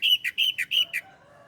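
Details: Short phrase from a bar-winged prinia (ciblek Koya) master recording for training cage birds: six loud, clipped chirping notes repeated in quick, even succession, then silence.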